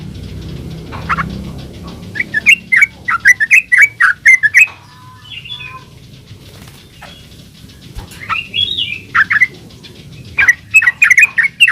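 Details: Lure song of a yellow-vented bulbul, style called gacor ulpik ropel, meant to make other bulbuls answer: rapid clusters of liquid, warbling chirps in three bursts separated by quieter gaps.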